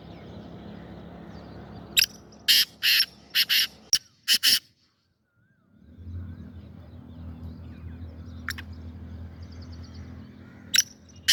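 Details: Black francolin (kala teetar), recorded 25 April 2024, gives a loud burst of roughly eight rasping, clipped notes, pauses in near silence, then adds isolated harsh notes later; low background rumble and faint twittering birds.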